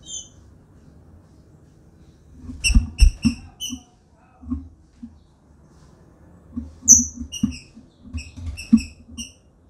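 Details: Captive female green-winged saltator calling and soliciting mating, giving short, sharp, high chips in two quick bursts of three or four notes, over soft low knocks and thumps.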